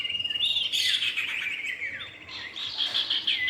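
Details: Brief stretch of common iora, male and female, used as a lure: rapid high chattering with steady whistled tones and falling slurs, packed closely together.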